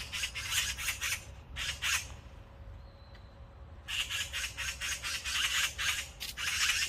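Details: Rasping, broadband squawks from an Oriental magpie fledgling not ready to leave the nest, delivered in clustered bursts separated by short gaps, with a faint steady tone audible during one pause.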